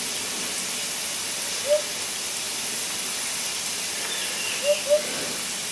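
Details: African hoopoe calling its mate: short, soft, low hoots, a single note and later a quick pair, over a loud constant hiss.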